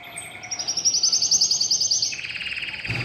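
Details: New household domestic canary sings a loud, high, rapidly pulsed trill that abruptly drops into a lower rolling tour.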